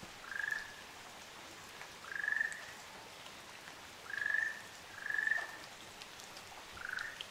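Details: Ryukyu ruddy kingfisher pair on Amami Oshima, Japan: five vibrating trills of even pitch, two of them in quick succession, ending on a lower, sliding trill. Dripping water sounds in the background.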